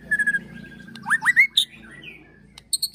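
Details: Agitated white-rumped shama ketrekan song with cililin and prenjak tir filler, for provoking and training birds: a thin steady whistle, then quick upslurred whistles and a bright note, ending in high chips.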